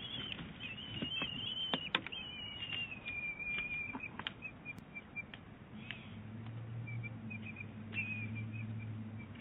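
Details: Bald eaglet and mother at Big Bear Lake in April 2018 exchanging calls; a high, slightly wavering whistled chatter with short upslurred chirps, then sparse high notes, with wing or nest rustling clicks and a low steady hum.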